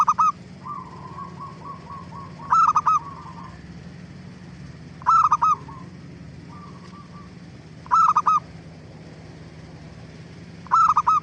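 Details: Zebra dove in lively lure song to make other doves reply; four short bursts of three clipped coos spaced about two and a half seconds apart, with soft fluttering notes in between and a background hum.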